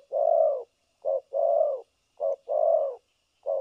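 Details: Spotted dove used as a decoy for trapping, cooing in the continuous style locally called thổ cấn sấm nước: low, hollow coos in short-then-long pairs, each long note about half a second, repeated steadily.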